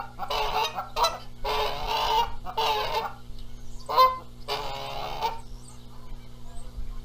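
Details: Canada geese at a nest in Charlo, Montana, on April 14, 2022, squabbling over who sits on the eggs while the male flies in adding noise; broad nasal honks come in a run of about six bursts, then fade to a low steady hum.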